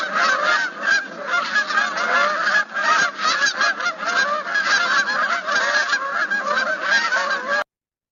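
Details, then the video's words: A flock of Canada geese honking continuously, many overlapping nasal honks at a fast, uneven pace; a group can honk a lot, as in V-formation flight, and the sound travels far. "Um, if there's a whole group of them, they can have a lot of honking."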